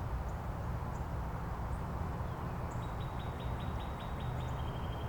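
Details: Northern Cardinal countersinging with neighbours in Angrignon Park, using upward slide themes: a fast string of about nine rising whistled units ends in a level tone, while faint high thin notes of another bird sound above a low rumble.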